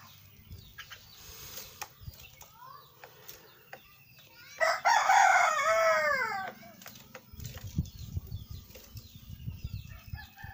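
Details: Javan myna chick kept as a caged pet, breaking into a loud, raspy, buzzing call of about two seconds in mid-clip, surrounded by scattered clicks, soft chirps and low rumbling noise.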